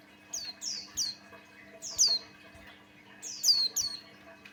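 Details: High whistled chirps of a Buxtoni white-eye, played as a lure to make other white-eyes sing. Notes fall sharply in pitch and come in pairs and short runs, with a steady faint hum behind.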